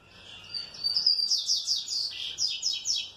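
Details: Green-winged saltator, well cared for, answering with a quick series of high, buzzy chirps repeated in rhythmic pulses, rising and falling over about three seconds.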